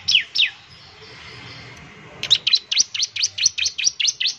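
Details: Bar-winged prinia, a bird kept to prompt other birds of its kind to sing; two sharp descending chirps, a pause, then a fast run of about eleven high, downslurred chip notes repeated evenly.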